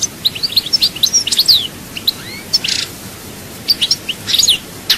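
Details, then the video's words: A European goldfinch from Souk Ahras gives scattered high chirps and tinkling twitters, with short bursts of rapid notes separated by quiet pauses. "chant chardonneret"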